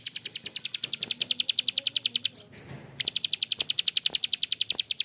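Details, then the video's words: Prenjak klik, or bar-winged prinia, giving its harsh long 'ngebren' rattle: a quick run of loud dry clicks, a brief break near the middle, then the clicking resumes. "PRENJAK KLIK GACOR ‼️Ngebren Panjang suara kasar"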